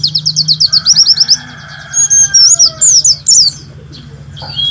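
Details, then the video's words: White-eye song recorded for training caged birds, advised for morning dew time: a quick string of about a dozen high repeated slurs, a pause, then clearer varied warbled phrases before trailing off over low hum. "Masteran Pleci Nembak"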